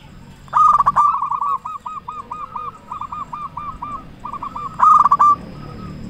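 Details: Loud-voiced local zebra dove in full song, used as a lure to get other zebra doves singing; a bright, bursting opening coo is followed by a long chain of quick, hooked rolling notes, then another loud burst at the end.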